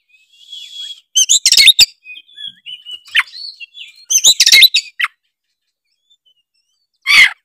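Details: Kacer, the Oriental magpie-robin, in vigorous gacor song meant to prompt other magpie-robins to sing: scratchy buzzy bursts mixed with thin slurred whistles, two dense phrases about three seconds apart, then one final harsh note.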